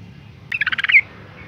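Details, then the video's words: A female yellow-vented bulbul gives one quick chattering phrase of about eight notes, ending in a brighter slurred note. The call is meant to provoke males into singing. "suara panggilan burung trucuk betina gacor ngalas tercepat mancing emosi trucukan jantan agar bunyi"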